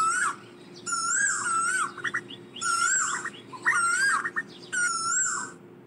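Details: Asian koel calling to gather the flock, sending out four long, wavering whistled phrases roughly every second, with quick short notes between them and a low background hum.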